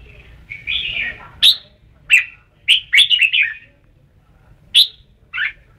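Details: Red-whiskered bulbul at Ban Song singing sharp whistled notes followed by a quick rolling run of four to five linked chirps, then isolated bright calls.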